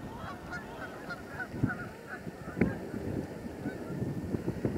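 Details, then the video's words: Canada geese, a flock of thousands along the Salmon River near Truro on 22 March 2014, giving honking calls at irregular intervals, with low rumbling wind and handling noise beneath. "Thousands of Canadian Geese"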